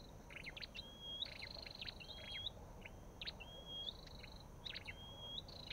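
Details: Repeated calls of an olive-backed tailorbird: short bursts of sharp ticks alternating with clear rising whistles, five or six phrases in quick succession.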